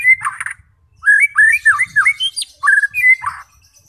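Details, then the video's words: White-rumped shama song, played to provoke fighting and chatty shamas into singing and revealing their learned phrases: a fast run of rich, slurred whistles rising and falling, with thin high chirps above and a short pause early on. "90% Cocok untuk memancing SEMUA jenis Murai batu FIGHTER, GACOR dan BONGKAR Isian"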